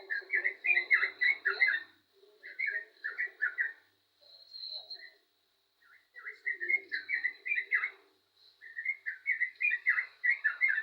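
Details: Yellow-vented bulbul in full song, giving lively bubbling phrases of rapid warbled notes in three bursts separated by brief silences, with a constant faint high whine behind.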